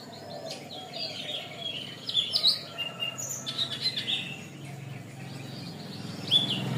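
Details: Canary singing in a long recording used to train birds: a continuous warble of high whistled notes with sharp accented chirps, over a faint low hum.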